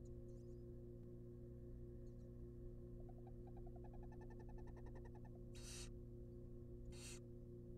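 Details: Barn owl babies, wild, in a research nest box with a rabbit delivered: a rapid accelerating series of clicks builds over two seconds, then two loud harsh hissing bursts follow, over background hum.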